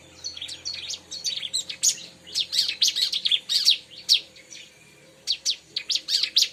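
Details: Bar-winged prinia (ciblek) chatter played to lure this species: dense bursts of sharp, high chirps in quick succession, a short pause, then another lively burst of clipped notes.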